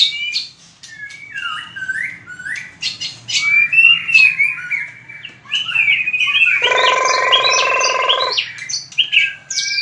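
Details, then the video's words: White-rumped shama practising fighting song: sweet whistled and chattering phrases, then a harsh, buzzy, harmonic sustained note lasting about two seconds before brief whistles resume. "Luyện chòe lửa hót đấu/luyện giọng chòe lửa/kích lửa shama bird"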